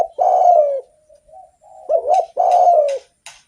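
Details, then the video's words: Spotted dove in active song, good for luring other doves: a long falling coo, soft quiet notes, then a quick wavering double note and another sustained descending coo, with scattered sharp clicks. "SUARA BURUNG DERKUKU GACOR ENAK DIDENGAR || BAGUS BUAT PANCINGAN"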